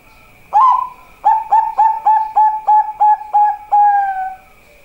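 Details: Song of a Bangkok zebra dove: an upward-sliding first coo, then roughly nine rapid, clipped coos and a long held final note, with a faint steady high whine behind it.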